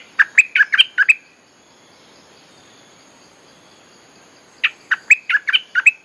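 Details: Cream-vented Bulbul song used as a lure for wild birds, given as two lively bursts of tumbling, slurred chirps about three seconds apart, each lasting roughly a second, over a soft background hiss.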